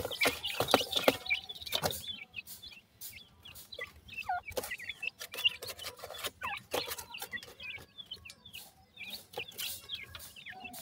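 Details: Sindhi teetar, grey francolin, chicks calling: scattered quick high chirps and peeps, irregular and frequent, with bursts of clattering handling noise early on.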